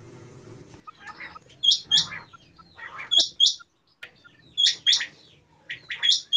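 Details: Common quail calling: after a soft low rasping phrase, sharp high whistled notes come in quick pairs and triplets, with a burst every one to one and a half seconds, with short silent gaps between bursts.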